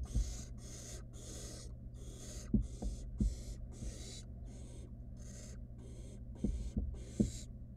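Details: Barn owl chick in a wild nest box plays with food its mother delivered, producing a rapid run of short breathy hisses, roughly twelve in eight seconds, punctuated by sharp knocks and taps.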